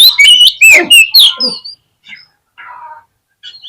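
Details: Oriental magpie-robin singing, meant as a trigger for a fighting response: a rush of loud, piercing whistles and rasping notes, then faint scattered twitters separated by short silences.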